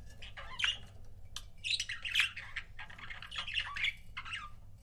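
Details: Pet budgie couples chattering almost continuously, a dense run of scratchy warbles, squawks and quick chirps with few pauses, over a faint low hum.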